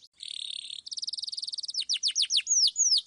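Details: Canary singing 'suit suit ngeroll' as a lure for young canaries: a buzzy low trill, then a faster bright trill, steep downslurred notes and two long falling whistles.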